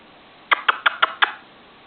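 An Indian ringneck parakeet gives five short, harsh clicking squawks in quick succession, about six a second, in a quiet room.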